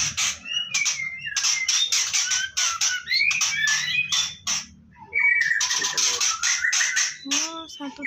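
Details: Captive-bred white-rumped shama chicks during nest harvest: harsh, raspy broadband begging bursts repeated rapidly, overlaid with short whistled notes and upslurred chirps, in a small indoor space.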